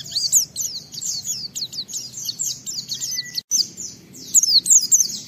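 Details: Oriental white-eye in 'ngalas' song, used as a lure for other white-eyes: a series of high, downward-slurred whistles and chips at a quick pace, one brief silent gap, then sharper notes resuming.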